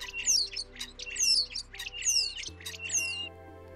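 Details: A common starling, a noisy UK garden bird that often lives in flocks, pours out a long, varied song of thin descending whistles, clicks, squawks and rattling chatter, over soft background music.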